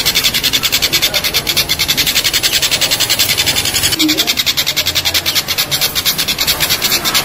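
A collared kingfisher gives a fast, harsh, rasping series of notes, about three or four each second.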